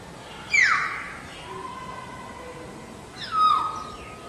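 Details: Black-naped oriole in the wild: two loud, harsh, nasal calls, each sliding steeply downward, about three seconds apart, with a faint steady tone and quiet background hiss between them.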